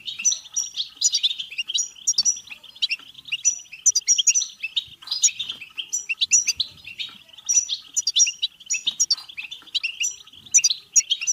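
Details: Goldfinch song for stimulating goldfinches to sing and mate: busy, tinkling chatter with rhythmic bursts of bright whistled notes recurring roughly every second, sustained throughout.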